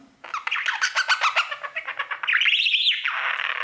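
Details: Male budgerigar at his mirror: rapid pulsed chatter of about a dozen quick clicky notes, then a rising-and-falling whistled squeal that melts into a hoarse, scratchy warble.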